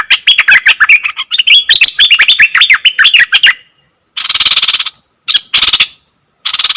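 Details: Nok dok taeng bird singing the song said to baffle wild birds, three and a half seconds of fast twittering warble, followed by loud harsh broadband noise bursts that drown out the singing.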